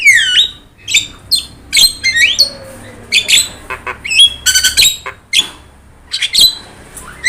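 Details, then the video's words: Javan myna with yellow eyes in full vigorous song, used to tutor other cage birds: loud whistled notes swooping down, mixed with abrupt harsh squawks and chattering bursts at irregular intervals, with short quiet gaps between phrases. "JALAK KEBO GACOR MATA KUNING"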